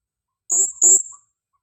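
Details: Two shrill, very high, slightly buzzy notes in quick succession from a female blue-crowned hanging parrot kept as a lure caller.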